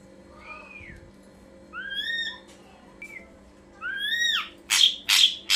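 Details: Ashy drongo, recorded as a lure to make kept songbirds answer: two clear, slurred whistles arching up then down, a short mid-pitched note, then a rising whistle followed by three harsh, loud rasping bursts; steady low hum underneath.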